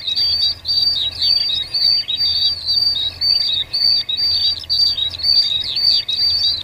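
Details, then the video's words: A wild cinereous tit gives a busy, high-pitched chattering song of rapid twittered notes in bursts about once a second, almost unbroken, over a faint low hum. ""GELATIK BATU"Istimewa..Gacor di Alam liar"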